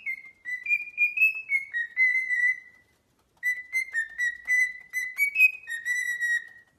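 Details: Parrot voicing a run of tonal, whistle-like syllables that waver slightly in pitch, delivered in two bursts with a short silent gap between them; clean harmonics and no other sounds.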